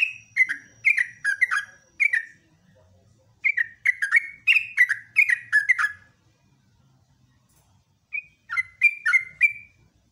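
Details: Morning song of a yellow-vented bulbul, sung briskly in 'ropelan' fashion: quick runs of bubbly, downslurred chirps in three bursts split by pauses of about two seconds.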